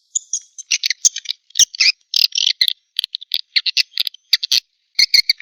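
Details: Swiftlet chick calls used as a lure sound for swiftlets: bursts of dry, buzzy, high chirps and rasps come in quick irregular clusters, with short silences between groups.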